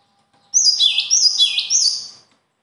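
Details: A bird gives a loud phrase of about three repeated downward-sweeping whistles over nearly two seconds, fading at the close, with a faint steady low hum beneath.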